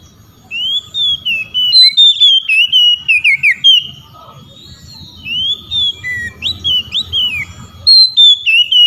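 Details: Oriental magpie-robin calling rival magpie-robins, which answer: repeated bursts of loud whistled song, rising and falling slurs with sharp chips, phrases every few seconds, faint low background rumble.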